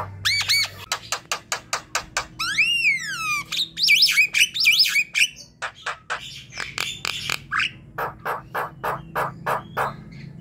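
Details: Javan myna song used as a lure to get other mynas singing: a varied loud run of sharp repeated clicks and chips, a rising-falling whistled squeal, harsh buzzy notes, then steady clacking pulses about four per second, with a low hum underneath.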